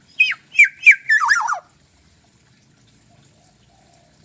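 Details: Spirited black-naped oriole from Bali gives three quick rising-and-falling whistled notes followed by a harsh descending nasal rasp, then silence.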